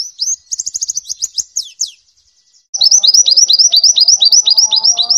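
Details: Warbling white-eye (pleci) tutor song in the 'nembak' style, meant to be played in the morning at dew time: rapid high chirps rising and falling in quick runs, a short pause, then a denser, continuous burst of looping tweets.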